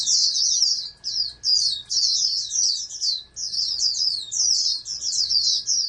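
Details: A captive-bred oriental white-eye, groomed as a national contest candidate, gives an almost unbroken stream of rapid, high-pitched warbling twitters for six seconds, with soft background hum.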